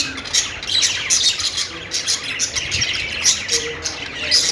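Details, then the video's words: Budgerigars singing happily while sitting on a perch: a dense, continuous chatter of high chirps, squeaks and warbled twitters with no pauses, bursts flaring every fraction of a second. "cute budgie making happy sound,budgies singing on perch"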